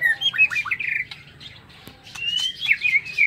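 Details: White-rumped shama singing in an aviary in the morning: varied whistled phrases, rising slurred notes and sweeping glides around mid-high pitch, with brief clicks and a short pause mid-phrase.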